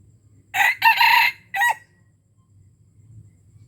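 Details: Red junglefowl crowing in Aceh, Indonesia, a bird used to lure wild junglefowl. It gives a loud, harsh crow in three parts with a brief gap before the short last part. A low, faint background hum follows.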